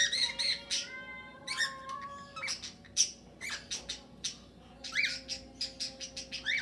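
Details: Several cockatiels kept in a shared aviary with budgerigars, singing their natural calls and trying to whistle: long, level whistled notes with a fixed pitch, broken up by short, harsh squawks and busy chatter from the flock.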